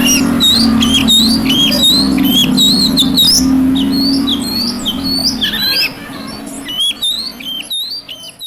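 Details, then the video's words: Oriental magpie-robin singing while seeking a rival: rapid, continuous run of bright whistled notes and sweeping slurs, many phrases repeated quickly, over a steady low hum that fades near the end, leaving scattered clicks. "burung Kacer cari lawan"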